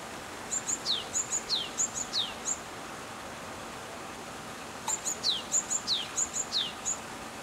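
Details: Japanese tit song in two bursts separated by a pause. Each phrase is two high, thin pips and then a quick downward-sliding whistle, repeated rhythmically four or five times per burst against a constant hiss of ambient noise.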